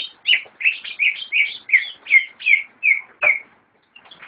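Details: Greater green leafbird kept as a cage bird: a clear series of about nine slurred whistled notes, each dipping and rising, roughly three per second, then a brief pause.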